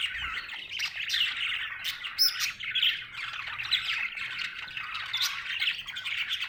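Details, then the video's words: Happy budgie chatter, a steady stream of buzzy twittering and sharp squeaks, high and unbroken. "Happy budgie chirping sound"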